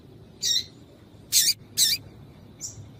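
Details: Female Yellow-bellied seedeater calls used to warm up males: one high chirp, then two louder, rasping chirps in quick succession and a faint closing note, over a low background hum.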